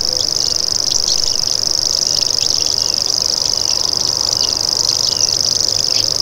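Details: Common grasshopper warbler reeling nonstop, a fast, evenly pulsed high buzz like a cricket, over scattered soft calls from other birds in the background.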